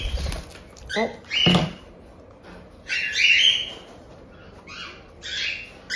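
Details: One-month-old cockatiel chicks at a Hokkaido breeder in Tokachi make 'jaa-jaa' begging cries: a woman speaks first, then three harsh, buzzy rasping calls follow, the middle one longest, with quiet gaps between.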